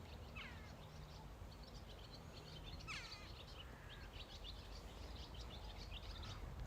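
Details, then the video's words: Swallows give sharp, twittering chirps in small bursts on an evening near Aberfoyle, Loch Lomond & Trossachs National Park, Scotland, after swooping down to drink from the river; low rumble and outdoor noise. "You hear that noise? That's the swallows."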